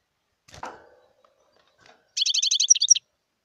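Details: Wild European goldfinch giving a short burst of rapid, buzzy twittering notes in a quick run of about a dozen units, preceded by a brief low rustle and a faint soft sound.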